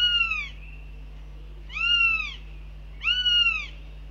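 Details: At a Northern goshawk nest during breakfast, 09 June 2021, the birds tell off the male that dropped in: three loud, harsh, arched wailing screams, each about half a second, with a constant low hum behind.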